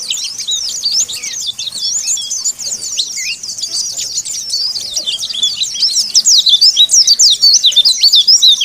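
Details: Oriental white-eye calling out rivals: dense, fast twittering of high, sharp up-and-down notes, more than three per second, loudening toward the end, with no other clear sounds.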